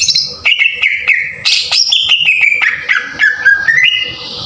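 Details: Green leafbird, cucak ijo, singing a rough tembakan kasar lure aimed at rousing other birds. A lively chain of varied whistled phrases steps up and down in pitch, punctuated by crisp sharp notes over a faint background hum.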